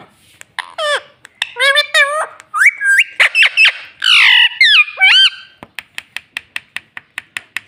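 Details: Talking pet parrot, said to say "Mitthu Mitthu" and "Mummy", utters a long run of loud bending, harmonic, speech-like syllables with short gaps, then a rapid series of dry clicks in the final two seconds.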